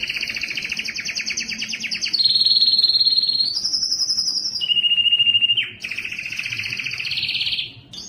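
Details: Canary singing strongly and at length to attract females for mating: a quick rolling trill, then long steady whistled and buzzy tones shifting between pitches, a low pure whistle, and a final rapid rattling passage.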